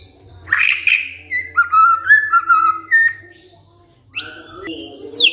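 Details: White-rumped shama answering a lure recording with bursts of song: a harsh rising note, then clear level and wavering whistles, a pause of about a second, then sharp upslurred notes; faint low hum.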